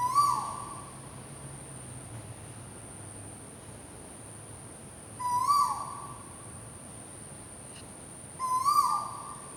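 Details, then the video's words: Bird calling in the morning: a short, clear whistled note that rises slightly and then trails off downward, given three times about three seconds apart, over a steady high-pitched hum and a quiet background. "BIRDS MORNING CALL"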